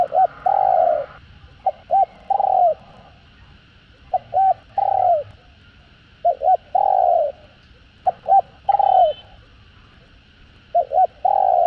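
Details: Spotted dove giving calling, urging and cooing phrases, used to stimulate other doves: low, soft phrases of a pair of quick short notes and then a longer falling coo, repeated every few seconds.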